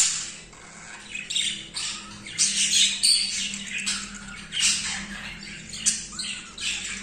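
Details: Uneven scratchy squawks and chirps come from an excited male budgerigar mating with a female for the first time. Loud bursts are separated by quieter, softer chatter.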